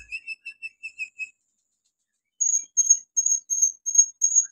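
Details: Olive-backed sunbird used as a lure for silent birds: a row of seven quick, clipped whistled notes, a pause, then six louder, very high piercing notes spaced about half a second apart.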